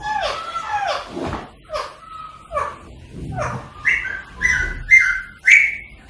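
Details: Rose-ringed parakeet giving downward-sliding whistles about once a second, then higher, steadier whistled notes near the end; meant to stimulate singing and mating.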